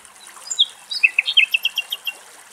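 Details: Common nightingale song in Greek nature: a few high whistled notes, then a fast run of about eight bright, repeated chirps at a steady clip, with faint water behind.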